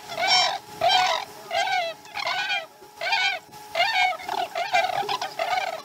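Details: Chesapeake osprey nest at a slow-starting morning feeding, 2019-12-12: loud, piercing chirp phrases repeated roughly every second, each a quick cluster of whistled notes, with a low continuous hum.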